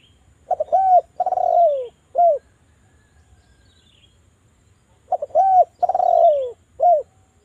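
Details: Javan spotted dove calling lure: two identical phrases of soft stutter notes, an arched coo, a downward-sliding rolled coo and a short closing coo, separated by a few seconds of quiet.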